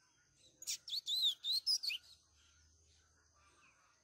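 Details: A double-collared seedeater sings a quick burst of high, warbled, sliding whistles in the "Greek" song style, used to teach young birds.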